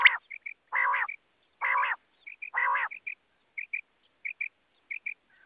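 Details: Common quail, recorded as a hunting lure: short, soft, high pips in pairs alternating with loud, harsh, nasal, drawn-out growling bursts.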